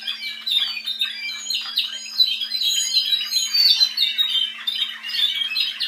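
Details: Spanish Timbrado canaries, a team bred from offspring of a 2012 Andalusian champion, singing indoors: a continuous dense stream of rolling, metallic trills and chirps, with a steady low hum in the background.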